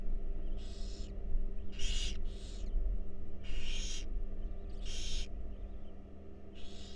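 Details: Barn owl babies in a wild nest box enjoying a meal, several overlapping hoarse hissing screeches of half a second each, irregularly spaced, over background hum.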